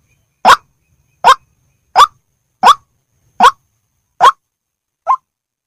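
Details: White-breasted waterhen of the Indonesian type gives a string of seven short, harsh, clipped notes, one roughly every three-quarters of a second, against a silent background.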